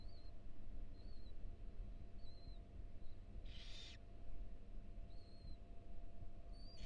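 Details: Barn owl female at a nest box with four tiny nestlings at the University of Florida, briefly stepping outside the nest. Faint thin whistled notes recur about every second, with one short loud hissing burst, over steady low hum.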